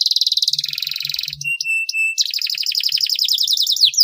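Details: Canary song meant to coax lazy canaries to sing: a rapid rolling trill, a few flat pure whistled tones, then fast repeated down-slurred notes.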